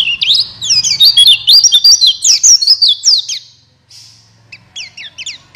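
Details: Buxtoni white-eye song used to spur quiet white-eyes into singing: a quick twittering run of high slurred notes, a brief gap, then a few paired sharp chirps, over a faint low hum.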